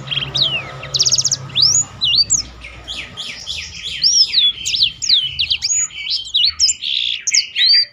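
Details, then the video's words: Tutor song of a black-throated canary kept to coax other birds into singing: a fast, continuous tumble of sweeping high whistles, trills and buzzy notes that barely pauses. "burung blackthrout lain pun ikut tergoda berbunyi"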